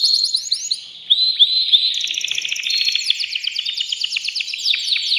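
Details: Agitated male canary singing to a female before mating, delivering fast rising chirps followed by a continuous rapid rolling trill of bright, high notes.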